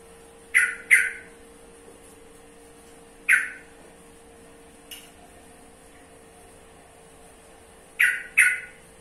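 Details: Sooty-headed bulbul (trucukan) uttering sharp, explosive notes in pairs and singles, spaced unevenly over several seconds, with a steady low hum throughout.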